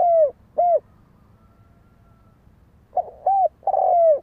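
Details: Spotted dove cooing: low, hollow, arched coos in a short pair, a pause of two seconds, then three more coos, the last one drawn out and falling.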